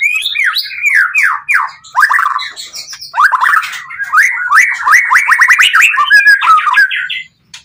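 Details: White-rumped shama, the Pastol PTRK BF bird, in emotional song to provoke other shamas: a continuous fast stream of varied slurred whistles and chattering notes, several per second, with scattered sharp clicks.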